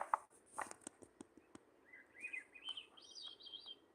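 A faint Swainson's thrush song: breathy, fluty phrases spiralling upward in pitch, each higher than the last. Clicks and tapping come first.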